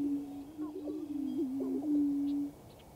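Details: Displaying on a lek in western Minnesota in April, prairie chickens give a loud, low, droning boom that holds steady for over two seconds. Short wavering notes and faint higher calls sit above it.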